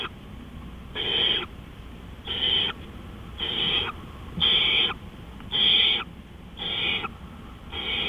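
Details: At 3:15 AM on 20 April 2013 an owl gives a steady series of seven rough, hissing screeches, each brief and evenly spaced a little over a second apart, against soft background noise.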